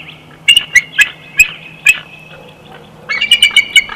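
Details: Chortle of a bald eagle at its Big Bear nest in June 2021, a series of sharp, high chirping notes spaced unevenly, then a rapid chattering burst near the end.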